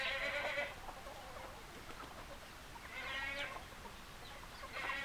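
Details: Chickens on a farm: nasal, harmonic clucking calls in three bursts, near the start, around the middle and at the end, with scattered soft clicks and a steady background hiss between them.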